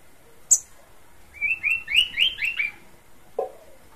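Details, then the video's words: Horsfield's babbler singing vigorously: a quick run of about seven slurred, downward-sliding whistled notes in close succession, preceded by a sharp click and followed by a single lower note. "Burung pelanduk semak suara khas"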